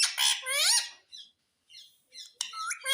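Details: Pet parrot known for talking: a loud, harsh squawk with wavering harmonics in the first second, followed by fainter scratchy notes and another rough burst near the end.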